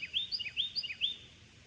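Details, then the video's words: A Carolina wren sings loud, bright groups of quick rolling notes, each phrase repeated about every half second, high and clear over a quiet background; the wren is heard in the background of an indoor reading. "what you're hearing in the background or maybe not so background it's a Carolina wren"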